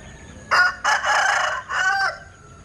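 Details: Strange-sounding crow from a Linh Kê chicken: a rough, raspy phrase in three loud segments, slightly distant, over a faint background hum.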